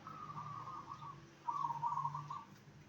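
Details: Zebra dove song used to get other zebra doves to answer, two extended trilled, bubbling coo phrases of about a second each, the second louder, with a low steady hum beneath.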